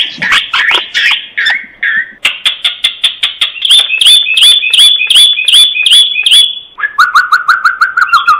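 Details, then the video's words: A common myna's varied morning song: harsh chatters and clicks, then a run of bright repeated whistles with overtones, ending in lower gurgling notes. "تغريد طائر المينا في الصباح، تغريد خرافي"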